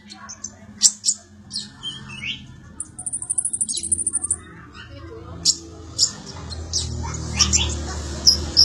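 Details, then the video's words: Sunbird, locally called konin or kolibri ninja, kept as song material for training magpie-robins: high thin chirps and sharp ticks scattered throughout, with a fast buzzy trill near the middle, over a low background hum. "KONIN ATAU KOLIBRI NINJA ISIAN BURUNG KACER"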